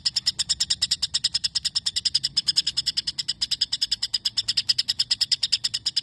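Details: White-rumped shama repeating long imitated sparrow chirping, isian gereja: steady stream of piercing chips at about three per second, with slight loudness swells.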